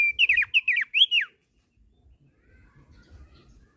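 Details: Short burst of song from a captive thick-billed heleia: quick, twisting whistled slurs lasting just over a second, followed by quiet with faint low knocks.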